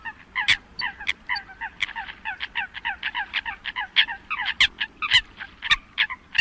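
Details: Many Eurasian coots calling together: rapid, evenly spaced, short nasal kowk-like notes, roughly three or four per second, punctuated by occasional sharp loud clicks, over a low rumbling background.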